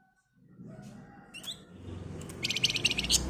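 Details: Flamboyan bird in agitated song used to prompt other birds to sing: after low background rumble, a dense, rapid, buzzy chattering trill of high notes closes the recording.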